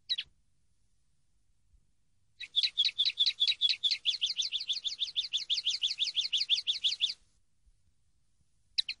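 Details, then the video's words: Common linnet song for training from a CD: after a lone chirp, a rapid, even, twittering trill of about thirty repeated notes runs for nearly five seconds, followed by another short chirp. The recording is clean and quiet. "CD CANTE DE PARDILLO 123"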